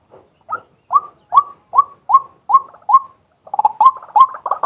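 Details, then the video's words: Male White-breasted waterhen, daytime, live recording from a fixed camera: a series of short upswept notes at a steady pace, roughly two or three per second, turning into a faster, jumbled burst at the end. "เสียงนกกวัก ตัวผู้ ต่อกลางวัน ตั้งกล้อง อัดสด"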